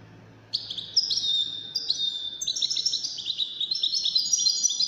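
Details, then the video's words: Caged European goldfinches in a song competition among five birds; a bright, tinkling twittering song of quick overlapping trills and whistled notes starting after half a second of quiet. "مسابقة افضل تغاريد 5 حساسين"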